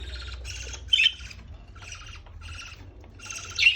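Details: Baby parrot calling while being fed: harsh, buzzy rasping bursts about half a second long, repeated in a broken series with short gaps, a few sharper squeaks mixed in.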